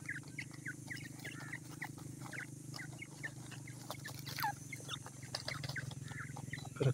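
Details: Ten-day-old grey francolin chicks at feeding time give a busy stream of brief, high, slightly down-slurred peeps, several birds calling at once, over a constant low electrical hum and occasional soft clicks.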